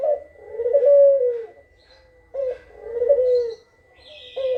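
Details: Kugeruk call intended to draw answering birds: two long mellow coos, each opened by a short note, with a brief faint hissing sound near the end.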